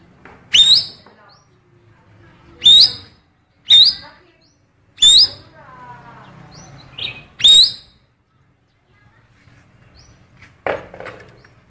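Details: A blue cucak keling sings female oriental magpie-robin phrases meant to attract males: six sharp, loud, rising whistled bursts at uneven intervals, with a soft rattling series and a raspy note in between.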